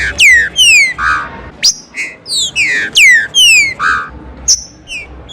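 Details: Green-winged saltator singing over a rain-in-the-square song-stimulation track: loud, clear whistled phrases that slide steeply downward, repeated in quick bursts with short buzzy notes between.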